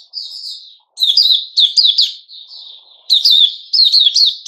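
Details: Sooty-headed bulbul, a male, recorded 10 July 2021, sings several phrases of slurred, wavering high chirps separated by brief gaps, each burst holding three or four notes.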